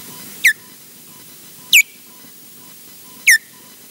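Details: An osprey at the Loch Garten nest, possibly one of a pair defending the nest, gives three sharp, high whistles sliding steeply downward about one and a half seconds apart, over a faint, evenly pulsed background tone.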